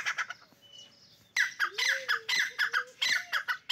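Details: Fighting partridges in a calling contest: after a quiet start with faint whistles, loud rasping call bursts begin, repeated about twice a second, with a lower sliding tone underneath.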